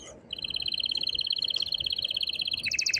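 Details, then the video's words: Strongly singing male canary urging a female to mate, producing a long rapid pulsed trill at constant pitch that switches abruptly into a louder, coarser roll near the end. "تغريد قوي جدا كناري هائج لتسميع الفراخ | canary singing"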